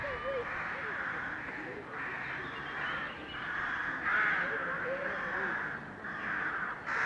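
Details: A crowded crow colony in May 2020 keeps up a continuous din of overlapping harsh caws with no pauses, over a busy background murmur.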